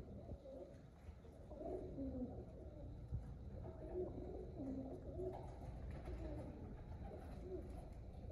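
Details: Pigeons keep up repeated deep, bubbling coos, several overlapping, over a low continuous rumble.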